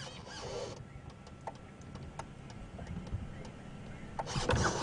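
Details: Irregular ticking and clicking over a low rumble during a morning safari game drive, with brief rustling bursts near the start and end.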